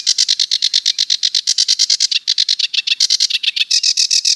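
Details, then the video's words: Fast, even string of buzzy, rasping notes from a sedge warbler, delivered at a steady rattling pace with slight changes in tone throughout. "Sedge Warbler - Songs"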